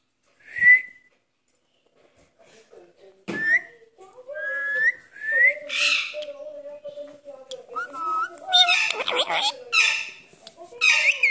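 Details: Green rose-ringed parakeet, a talking pet eager to play: a sharp whistle, then a series of rising whistles over low mumbled talking-like notes, ending in harsh squawks and chatter.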